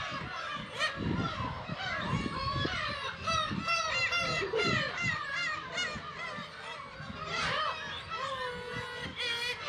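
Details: Black-tailed gull breeding colony, about 30,000 birds, Kabushima, Hachinohe, Japan, 10 June 2020; a continuous wall of overlapping mewing, cat-like cries with occasional louder nearby calls and low knocks beneath.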